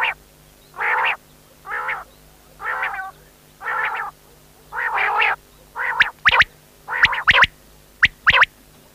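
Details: Quail repeating rough buzzy notes almost every second, then switching to clipped sharp whistled notes in pairs toward the end; faint steady hum behind.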